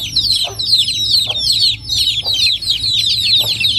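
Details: Chicken chicks in Noldang village, recorded in a natural rural setting, chirp in a busy, overlapping stream of sharp, downward-slurred peeps, with low clucks breaking in about once every second.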